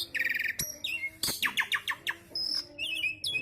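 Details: Javan pied starling with an isian sekebon kacang song: varied bursts of harsh notes, quick descending chirps and high whistles in mixed phrases, separated by short gaps.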